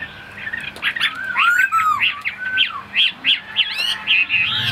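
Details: Caged Chinese hwamei, a large tame bird kept as a songbird, sings a lively run of varied whistled phrases, with rising and falling slurs interspersed with harsher squawky notes in quick succession.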